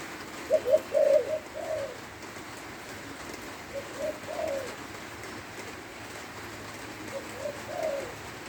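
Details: {'caption': 'In rainy weather in Lopburi, Thailand, a spotted dove repeats its song three times, each a short cluster of hoarse, mellow coos, fading softer in later repeats amid continuous rain hiss.'}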